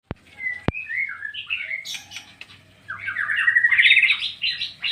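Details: White-rumped shama singing in the loud ngeplong style: two sharp clicks open, then varied whistled phrases that slur down and up, ending in a dense run of fast, rising trills.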